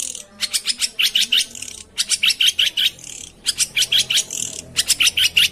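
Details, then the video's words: Long-tailed shrike song for prompting a quiet bird: rapid runs of rattled, squeaky notes, four bursts in quick succession with short gaps between, steady and loud throughout. "suara pancingan burung pentet macet/malas bunyi"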